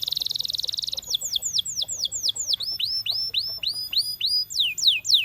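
A Russian canary opens with a fast, buzzy trill, then a run of high, clear whistled notes that swoop downward, about four each second.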